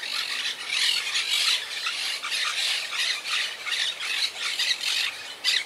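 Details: A wild colony of monk (Quaker) parakeets, living high in trees and regrouping after losing about half its members to Hurricane Irma in 2017, keeps up a harsh, overlapping chorus of grating squawks and screeches with barely a pause; the compilation excludes alarm calls.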